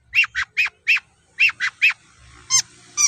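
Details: Long-tailed shrike sound used as a lure to make other shrikes answer: loud harsh, nasal notes repeated about every quarter second in a burst of seven, then two higher scratchy notes after a short pause.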